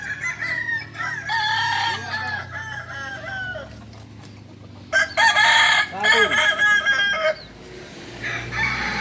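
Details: Kukuak balenggek chickens at a crowing practice contest in Panyakalan, Solok. Ongoing crows from several roosters overlap, building into a loud cluster midway, with speech and background hum throughout.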